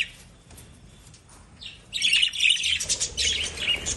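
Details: After a quiet start, lovebirds break into fast, loud shrill chirping and twittering that continues to the end.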